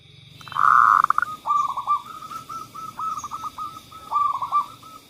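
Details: Lure song of a zebra dove meant to stir reluctant singers: one loud drawn-out coo, then a chain of quick stuttering cooing notes broken into short bursts, with a steady faint hum behind.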